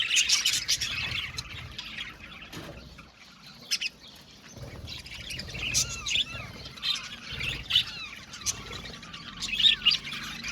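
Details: Colony of budgies in an aviary chirping together: dense high twittering and short squawks, curved whistled notes, and scratchy chatter, with a short lull near the middle before the chorus builds again.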